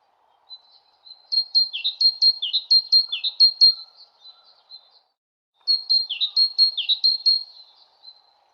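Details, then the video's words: Songbird singing two matching phrases, each a rapid series of high sharp chirps broken by lower downslurred whistles, separated by a short silence; clean recording with no background noise. "Bird Tweeting Sound Effect"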